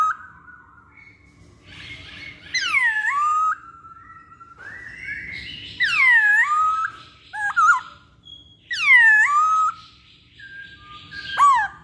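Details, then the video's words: Masked laughingthrush song: loud, rich whistled notes that swoop steeply down and then level off, given in bursts about every three seconds, with softer warbling phrases between. "Pancingan Poksay Hongkong"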